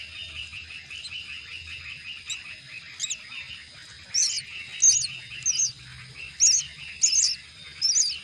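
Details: Myna chicks fed at the nest: a steady raspy chatter, then loud shrill squeaky bursts repeated about every half second, growing more insistent toward the end.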